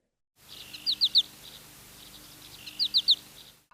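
American Goldfinch giving two bursts of its 'po-ta-to-chip' flight call: three or four quick, high, thin notes, each slurring downward, about two seconds apart. A faint low hum runs beneath.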